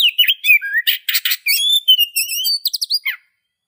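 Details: Varied whistled song of an Oriental magpie-robin: sweet sliding notes, brief chirps and rough buzzy bursts in quick succession, ending abruptly after about three seconds; quiet background.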